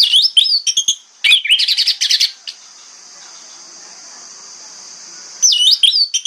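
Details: Orange-headed thrush in the morning, its song meant to lure other thrushes to answer: quick looping whistles and a dense rattling trill, a long quiet gap, then more looping whistled notes.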